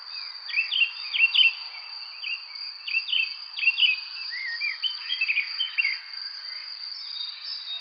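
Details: Spring evening birds: clusters of sharp, quickly falling chirps in quick pairs and triplets, then softer twitters, over an unbroken high insect whine.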